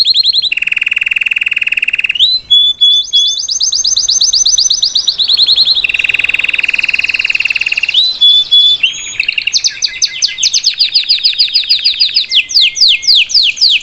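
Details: Belgian salsa canary singing live for its young to learn from, alternating high buzzy trills with deep rolling trills and brief whistled notes in a varied, continuous phrase.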